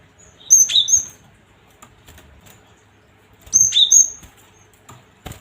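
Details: Cinereous tit, played to provoke and excite other tits: two short bursts of sharp, high chirping notes about three seconds apart, with faint rustling and clicks between.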